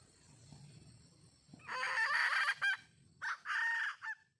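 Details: A red junglefowl hen gives a call for a mate, a loud rasping harmonic phrase held about a second, a brief note, then a shorter rasping phrase and a final short note over low background rumble.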